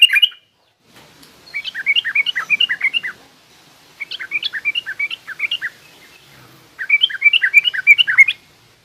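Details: Yellow-vented bulbul singing garuda and rough ngriwik song for training young bulbuls: three separate phrases, each a quick string of about ten liquid, bouncing notes, with short quiet gaps between.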